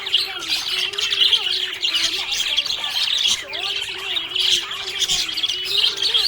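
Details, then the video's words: Happy budgerigar chirping: dense, rapid chatter of high twittering notes and short squawks, continuous throughout, with a steady low tone running beneath. "Happy budgie chirping sound"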